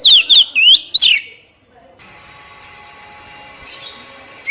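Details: Oriental magpie-robin song meant to trigger singing in captive birds: a quick burst of four loud looping whistled notes, followed by quiet background hiss and a faint rising note at the end.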